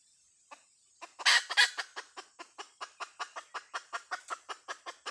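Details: Hen sounds: two loud rough notes open a long, steady run of short, clipped clucks repeated about three times a second.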